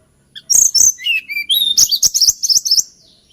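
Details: Hill blue flycatcher singing its lilting song: a few sharp high clicks, then thin descending whistles sliding lower, then a rapid run of bright, jerky, high-pitched notes over about two seconds.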